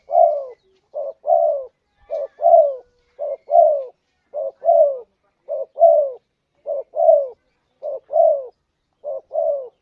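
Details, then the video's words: Spotted dove lure call meant to provoke a rival into answering within seconds: low, hollow coos in pairs, a short note followed by a longer, falling rolled coo, repeated steadily about once a second in a quiet setting. "burung derkuku / tekukur bikin emosi lawan, hitungan detik langsung nyaut, pikat burung tekukur mp3"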